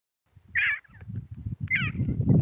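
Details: Grey partridge giving two short, harsh, rasping calls about a second apart, set over a steady low rumbling background noise.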